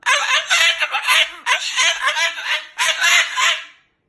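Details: Angry Moluccan cockatoo at home, loudly talking and cursing; three grating, voice-like bursts of rapid squawked syllables that fade out at the end.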